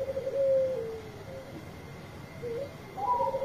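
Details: Perkutut Bangkok, a zebra dove, calling loudly for companions, here heard more faintly over steady background hiss. There are smooth, level cooing tones with a falling tail, a pause, then rising coos near the end.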